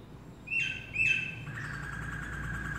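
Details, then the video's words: Black-throated laughingthrush song: two bright whistled notes about half a second apart, followed by a lower, sustained whistle, against constant low background noise. "Khướu Bạc Má hót hay!"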